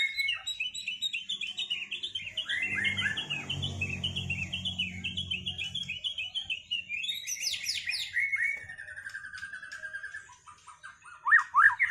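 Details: White-rumped shama after its moult, in a duel to restore performance: continuous run of rapid chirping notes and sweeping whistles with a low rumble in the background partway through.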